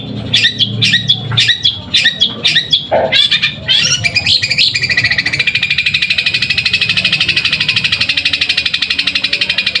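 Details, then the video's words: Caged long-tailed shrike from Pamekasan giving a sparring-style song with sparrow-like notes. Six spaced, sharp, descending chirps come first, then a harsh squawk, then a fast, unbroken, buzzy rattling trill that holds to the end. "Cendet suara gereja tarung sambung Tengkek Buto"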